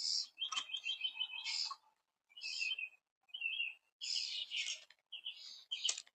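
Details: Very young Red-bellied Woodpeckers in Florida give high, rapid, raspy chittering in bursts of about one second, broken by short pauses, with no other sounds.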